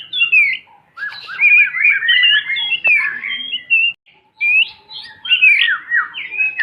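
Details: White-rumped shama singing a tutor song for young birds to learn: varied, fluty whistled phrases with quick down-slurred notes, delivered in two bursts separated by a half-second silence.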